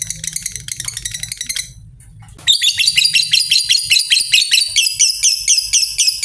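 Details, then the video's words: Lovebird chattering used to trigger long trills in other lovebirds: a fast pulsed burst, a short gap, then louder clipped high notes repeated in an uneven, lively stream. "Lovebird Susah Ngekek Pancing Saja Pakai Suara LB ini, Pasti Langsung Respon Ngekek Panjang"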